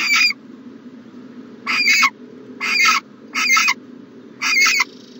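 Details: At a nest box in the morning, January 2020, an owl gives raspy screeching calls with a slight whistled edge, four to five bursts spaced a second or so apart, with a low hum beneath.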